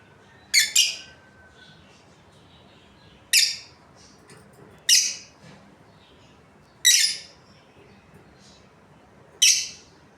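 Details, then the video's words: Short, scratchy high chirps from a breeding pair of Australian lovebirds, one doubled, then single calls spaced roughly two to three seconds apart. "Australian Lovebirds Chirping Sounds"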